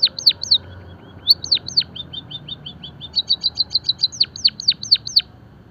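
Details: Java sparrow singing, from a training and stimulation recording meant to encourage other songbirds to sing: quick runs of high, thin chirps and sharply falling tick notes, a short pause, then a longer, steady series; low hum beneath.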